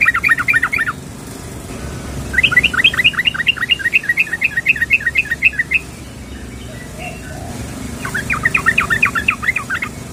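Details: Female yellow-vented bulbul calling to a male, giving three bursts of rapid, bouncy chattering notes, each burst one to three seconds long, separated by quiet gaps.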